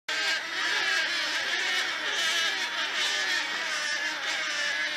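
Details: Thousands of wood storks calling together, a dense unbroken din of harsh, raspy overlapping voices merging into a steady roar with no single call standing out.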